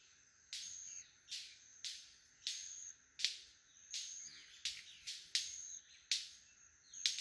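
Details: Several male White-collared Manakins performing their lekking display at Rancho Naturalista Lodge, Costa Rica: sharp broadband wing snaps roughly every half second to second, each trailing into a ringing, whistled tone, over a steady high insect drone.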